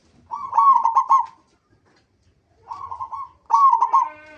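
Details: Local zebra dove used as a lure for other zebra doves: three bursts of fast, tremulous cooing separated by silence, the last phrase trailing into a brief, higher, buzzy overtone.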